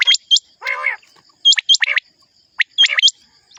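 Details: Common quail calling: sharp, high, hooked notes given in quick pairs, alternating with lower, harsh, buzzy notes in a short irregular series. A faint steady high tone runs in the background.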